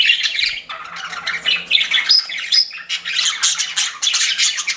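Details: Pet budgies keep up a rapid, buzzy chatter of squeaks, clicks and short whistles, nearly without pause.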